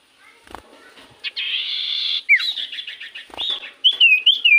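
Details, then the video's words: Common iora song as a lure to get other birds answering: a sustained buzzy trill, a dipping whistle, rapid chattering notes, then a series of wavering whistled phrases. "Pancingan Burung sirtu cipoh gacor sekali putar Burung sirtu cipoh Diam Langsung nyaut"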